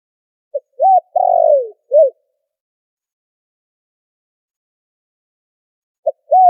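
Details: A spotted dove coos in a filtered recording used to lure birds for trapping: a tiny pip, an arched coo, a long wavering downslurred coo and a last short coo, then a long pause before the next phrase starts.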